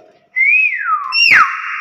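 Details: Nias hill myna whistling a rising then falling slurred note, followed at once by a sharp downward swoop into a sustained, rich tone; a person speaks softly just before.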